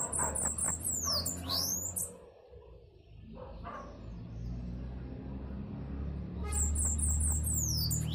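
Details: Bananaquit with short bursts of high, sizzling trilled notes at the start and again near the end, separated by a quiet gap over steady low rumble.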